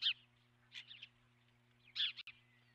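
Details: Osprey at the nest, filmed by a nest camera on March 12, 2016: two short bursts of high, sharp chirped notes about two seconds apart, over a low steady electrical hum.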